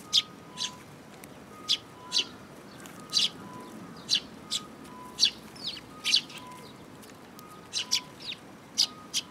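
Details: Young sparrows, including an imitating youngster, at a Tenmangu shrine on 5 June 2022 give spaced sharp chirps roughly every second over a repeating pattern of short, steady, two-pitch electronic-like tones.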